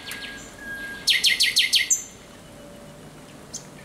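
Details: Thrush nightingale singing at night on 17 May 2023: soft whistled notes, then a loud run of six hard, clicking broadband notes in rapid succession, ending in a high thin whistle, with quiet background.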